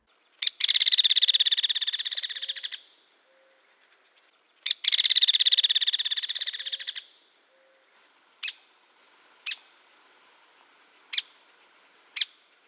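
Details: A Hairy Woodpecker in winter in eastern North America gives two fast, dry rattles of about two seconds each. Then come four sharp single 'peek' notes about a second apart, sharper and slightly lower than a Downy's 'pik'.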